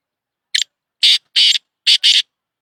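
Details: Black francolin, called Shedi Sindhi Kala Tetar: five loud, harsh, rasping notes over about two seconds, one short note, then two longer ones, then a quick closing pair, against a silent background.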